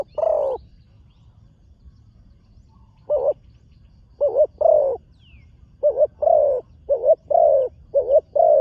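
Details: Newly trained young spotted dove on its first time at a dirt competition ground. Deep, hollow coo notes come singly at first, then in quicker runs of paired notes at about one per second.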